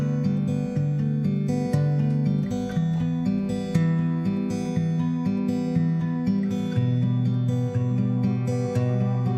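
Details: Plucked and strummed acoustic guitar music with a regular rhythm and no animal sounds.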